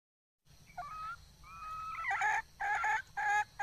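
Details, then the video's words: Wild red junglefowl hen giving a thin, drawn-out note followed by a run of loud, rasping, evenly spaced clucks about three per second, with faint background hiss. "Suab poj qaib qus seev zoo heev"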